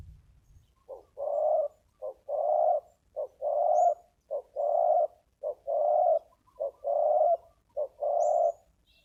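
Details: Wild spotted dove with a strong, deep voice, heard during decoy luring at a bare-earth clearing: mellow mid-pitched coos in paired phrases, a short note then a longer rolling one, about eight phrases in nine seconds, with faint high chirps from other birds.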